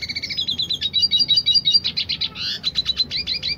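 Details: A dilute red siskin's fast, unbroken rolling song of high, bright chirps and buzzy rolled trills, about three notes a second, with faint low background hum.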